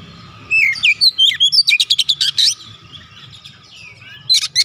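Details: Untrained 'bahan' oriental magpie-robin singing in vigorous 'gacor' style: sliding whistled notes lead into a fast run of sharp, repeated high chips, then a quieter lull and a short closing chatter.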